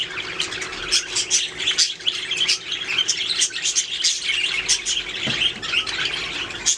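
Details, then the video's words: Several budgerigars singing and chirping: a dense, continuous stream of quick, high warbles, clicks and short squeaky notes overlapping throughout, with brief louder chirps standing out every second or so and no other clear sounds. "Budgies singing making sounds chirping"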